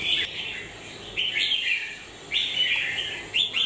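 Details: A red-whiskered bulbul, beak moulting, gives three or four short, bright whistled phrases, each a fast rising-then-falling slur, spaced about a second apart.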